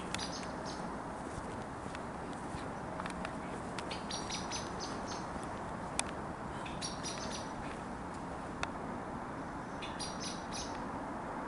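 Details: Alarm calls of a common blackbird, 31 October 2021: scattered bursts of sharp, high ticking notes, grouped in short runs, with a loud click near the middle and constant low-frequency background rumble.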